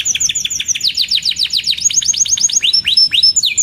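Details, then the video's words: Singing canary kept as a tutor and lure for young birds: a fast series of high downward-sweeping chirps, about six per second, shifting into sharper rising notes and short whistles near the end. "Burung Kenari GACOR Cuit Cuit EMOSI‼️Pancingan Kenari Paud Belajar Bunyi, Terapi AMPUH Kenari Macet"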